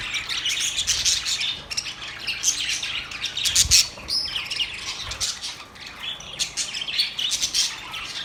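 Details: Singing budgies, busy scratchy warbling with squawks and a few clear whistled notes, and a low thud midway through.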